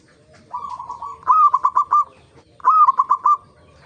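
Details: Local zebra dove in active song, played as a lure for other zebra doves: two phrases, each opening with a slightly higher note, then four or five quick, staccato cooing notes.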